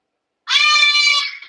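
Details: A cockatoo in an indoor sanctuary bird room, on a 100°F day, gives one loud, harsh, nasal screech lasting about a second, strained and trailing off; the bird may be yelling for attention.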